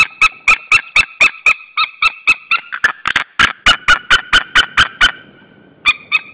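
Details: Loud series of yelping, ringing notes from a white-tailed eagle pair at the Saunja nest, Estonia, at dusk on 26 April 2013. The birds call at another eagle, with uneven rhythm, a brief pause, then renewed yelps.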